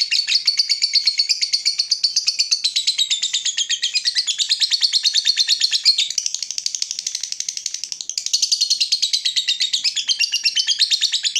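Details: Lovebird ngekek panjang, a very long chattering trill: a continuous rapid rattle of shrill, buzzy notes lasting over eleven seconds, briefly softening in the middle before returning at full strength.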